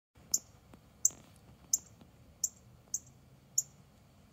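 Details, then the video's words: Male northern cardinal giving a mating call: sharp, very brief high metallic chips repeated about every two-thirds of a second, seven in all, over a faint low background hum. "The male Cardinal's mate call"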